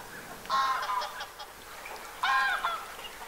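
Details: A Gadwall (Mareca strepera) in winter at Aiguamolls Natural Park, Catalonia, 24 January 2022, gives two harsh, nasal, quacking calls about a second and a half apart, each a short rasping burst.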